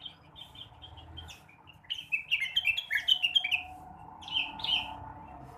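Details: Morning song of a blue-winged leafbird, meant to stir untrained birds into singing: a few soft high notes, then a rapid run of sharp, bright chirps and slurred whistles, ending in two louder warbled phrases.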